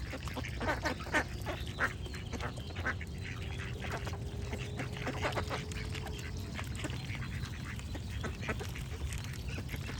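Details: Duck quacks, brief nasal bursts clustered irregularly, some overlapping, with a steady low water rush underneath and a faint sustained tone midway through.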